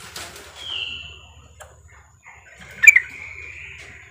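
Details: Female Yellow-vented Bulbul calling the male: a drawn-out whistle sliding slightly downward, then after a pause a sharp chirpy burst flowing into a level, slightly buzzy trill, over a low steady rumbling hum.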